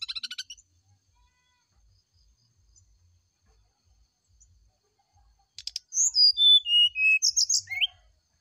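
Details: Brown-chested jungle flycatcher in the morning, recorded as a lure to prompt a reply: a short buzzy rattle, a long silence, then a rattle followed by a cascade of clear whistles descending in pitch.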